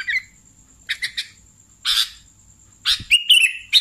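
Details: Lure recording of sooty-headed bulbul: scattered scratchy chirps and a buzzy rasping burst, ending with several quick slurred notes in a short run, a steady high tone behind.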